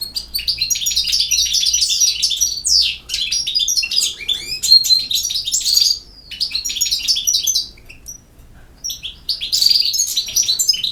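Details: European goldfinch singing in the campero song style: loud, rapid bursts of tinkling, twittering and buzzy notes in phrases of one to three seconds, separated by short pauses, with a quieter gap near the end.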